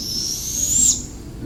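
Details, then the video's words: A juvenile Barred Owl gives its distinctive loud screeching hiss, which helps locate hidden owlets: one long, high, breathy call that swells then cuts off after about a second. "we learned last year, the loud screeching hiss is a unique call from the juvenile barred owl."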